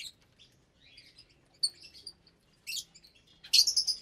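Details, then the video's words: Lovebirds in a shared aviary at meal time, around 25 birds, parblue, euwing, opaline, lutino and albino: soft short twitters, then two loud harsh squawking chirps at the end. "Lovebird Meal Time"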